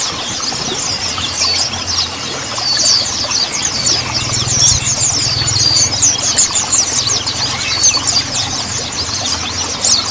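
A dense chorus of high, thin, twittering Mountain white-eye song, many overlapping rapid chattering phrases, over a faint low engine-like hum.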